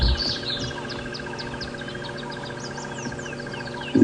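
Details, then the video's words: Crested barbet giving a shrill call in the background on a morning safari drive at Djuma Game Reserve, 18 December 2015, while a sleeping male leopard is watched; a steady, rapid trill of even pulses runs throughout, with other birds chirping higher and low ambient rumble. "You can hear the shrill call of a crested barbet in the background."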